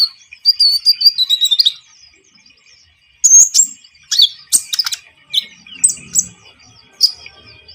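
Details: Javan munia song used to lure birds for trapping: a quick run of high chirps sliding downward, a pause, then sharp, scattered high tweets and short squeaks.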